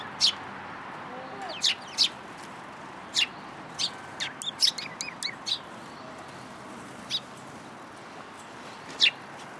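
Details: Sparrows following a person to be fed at a community hall, February 26, 2023: short sharp high chirps scattered irregularly, some in quick clusters, over a steady background hiss.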